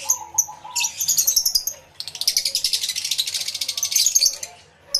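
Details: Aviary full of lovebirds, recorded live with two external microphones: continuous rapid, shrill, rattling chatter in two long loud runs, with high squeaks at the start.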